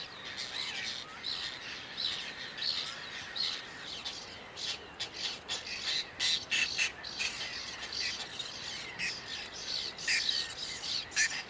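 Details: Whiskered tern recorded in June 2022 in Toledo, Spain, giving a busy series of grating, scratchy squawks, several overlapping and closely spaced, some louder and nearer, others fainter, against open-air background noise.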